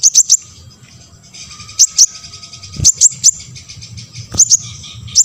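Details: Olive-backed sunbird (konin), played to provoke other sunbirds to answer and sing; high thin chirps and sharp downslurred notes in short clusters between quieter trills, with a faint low hum beneath.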